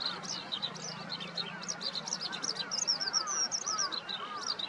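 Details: Eurasian skylark morning song, 15 May 2021, east-side vegetable garden of Yanagishima Sports Park, Nikon COOLPIX P1000: quick high chirps and upslurred whistles in a busy run, with softer arched lower notes from another bird beneath.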